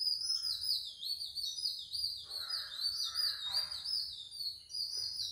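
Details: Oriental magpie-robin visiting a backyard, delivering a continuous high, varied warble of rapid whistled and chirpy phrases rising and falling, with softer lower rustling sounds in the background.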